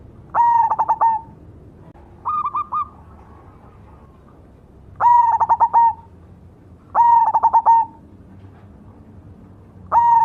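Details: Cemani zebra dove cooing steadily: five clear phrases, each a quick run of pulsed, buzzy coos near one pitch with a slight drop at the end, spaced about two seconds apart over a low background hum.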